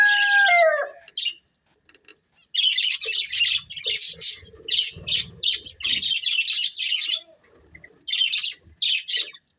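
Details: A breeding pair of budgerigars gives bursts of high, buzzy chirps and chatter, spaced by short gaps. A drawn-out falling call opens the sequence, and faint low rustles sound beneath.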